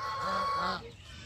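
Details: Domestic goose in a Bangladesh village gives one loud, harsh, nasal warning honk lasting under a second, then only a faint background hiss.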